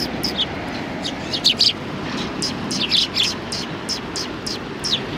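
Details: Thin, high chirps from sparrows on a bench at a Tenmangu shrine, 21 January 2020, scattered and fairly quiet above steady low traffic-like rumble.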